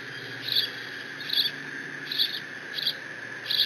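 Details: Bald eaglet, sole chick present in the Decorah nest, mantles a fish brought by its father and squees. Five sharp, high-pitched squeaky notes come roughly every three quarters of a second over a steady background hiss.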